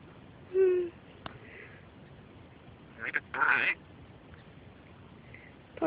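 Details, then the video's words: A pet grey parrot gives a short, low, moo-like voiced note, then a harsh, rasping burst about three seconds later, against quiet background hiss; the parrot moos like a cow and talks. "African Grey Parrot talking and mooing at cows, laughing"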